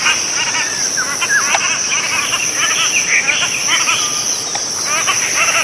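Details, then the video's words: Cotton pygmy-goose giving a busy run of short, sharp cackling notes, some bent and slurred, over a constant shrill insect hum in the background. "棉鴨/Cotton Pygmy-goose(Nettapus coromandelianus) Call"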